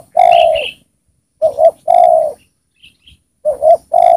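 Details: Spotted dove decoy luring wild birds, uttering loud close low coos, double notes and longer sustained coos, with a faint higher chirp between phrases.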